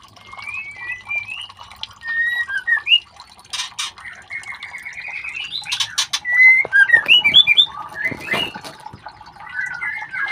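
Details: Young white-rumped shama chicks during ringing give runs of clear rising whistles and warbled twittering notes in uneven bursts, broken by sharp clicks and handling noise.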